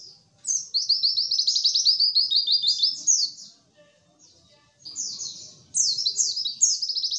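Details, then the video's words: A white-eye sings high, fast twittering phrases of quick up-and-down notes, pausing briefly before starting again; used as a tutor recording to prompt reluctant captive white-eyes to sing. "pancingan pleci malas bunyi"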